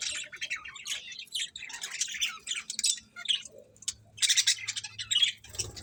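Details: Pet budgerigars chirping and chattering in rapid, scratchy bursts of high warbled notes, several birds overlapping with short pauses between flurries and a faint low hum beneath.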